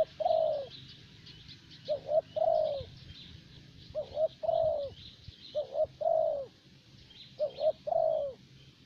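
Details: Decoy spotted dove from Vietnam, the type elders chose for even, easy calling. Four rhythmic phrases of two short coos and a long mellow downward croon, over faint high chirping of other small birds.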